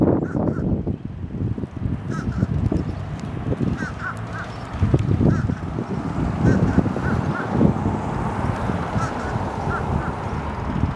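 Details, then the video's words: Fish crows in Savannah, Georgia on 4 April 2022 give short, nasal, honking caws in quick bursts, repeated throughout, over a heavy low rumble of wind or traffic. "Fish crow"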